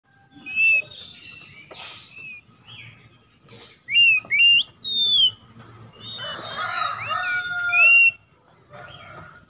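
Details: Oriental magpie-robin song used as a lure to restart a bird that has stopped singing: scattered clear whistled phrases, some slurred and rising, with a burst of rich warbling in the middle and quiet background hum.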